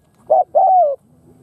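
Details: Vietnamese lure spotted dove cooing to attract wild doves. A single short coo is followed by a long, smooth, slightly descending croo, with near silence after.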